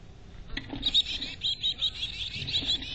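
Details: Chickadee at a nest box in North Vancouver, giving a run of thin, high chirps that begin after half a second and repeat about twice a second, with soft wooden rubbing and scraping beneath.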